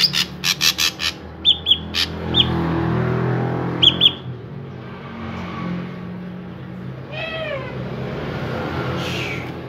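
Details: Drongo singing as a lure to set other drongos singing: a rapid run of harsh rasping bursts mixed with short whistled chips, later a few more chips, then passing vehicle noise and a descending harmonic wail near the end.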